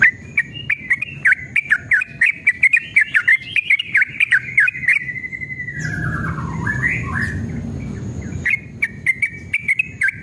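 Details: Yellow-vented bulbul delivering long, excited song meant to spur caged birds to reply: dense bubbly chatter, then a slurred, descending wavering phrase over rustling noise, then rapid notes again.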